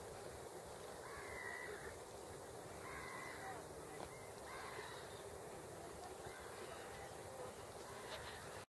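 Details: Several great crested grebes on Hubertus 2 pond in Katowice, 26 March 2021. Harsh, harmonic calls repeat at uneven intervals of about a second, set against steady background noise.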